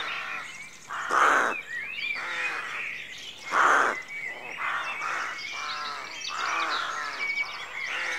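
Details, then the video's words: Dawn at a rookery: two strong, rasping rook caws rise well above a chorus of softer croaking calls, with small songbirds twittering throughout. "Rookery at Dawn"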